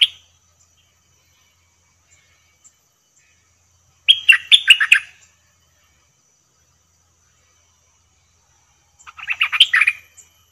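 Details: Two separate chattering, warbled phrases from a caged bulbul during trapping, about five seconds apart, each made of quick slurred notes with a fainter tail.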